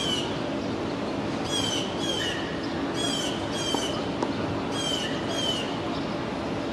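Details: Two blue jays mobbing a two-month-old red-tailed hawk fledgling in Tompkins Square Park, East Village, Manhattan, New York City, June 22, 2022; harsh, raspy calls come in quick pairs every second or so over a steady low city hum.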